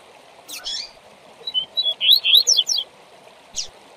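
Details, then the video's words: Double-collared seedeater (coleiro) "tui tui zel zel" song, a training song for young birds: a quick burst of high, sweet chirps and slurred whistles, a single note before and after, over steady hiss. "Canto TUI TUI ZEL ZEL Forte para Encarte de Coleiro"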